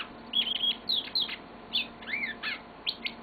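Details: Yellow-fronted canary, a pet bird, delivering a short burst of song: sweet whistled notes, quick slurs up and down, and sharp chips strung closely together over three seconds.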